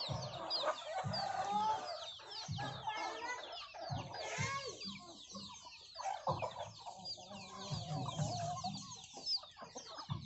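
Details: A flock of hens with many chicks feeding on young rice that farmers gave them. Repeated low, throaty clucks come in clusters, over a dense chorus of thin, high chick cheeps.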